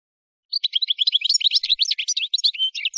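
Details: From Souk Ahras's Kef El Hammam area in Algeria, an Algerian goldfinch pours out a dense, continuous rapid twitter of high, liquid, tinkling notes without pause.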